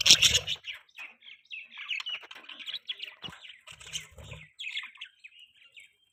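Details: Budgies open with a loud sharp squawk, then settle into soft continuous warbling chatter of small chirps and trills, with a few thumps in between.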